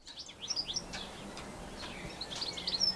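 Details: European goldfinch, an introduced finch in New Zealand, recorded on a Canon SX60HS camera: short high twittering and tinkling notes in scattered clusters, with steady background hiss.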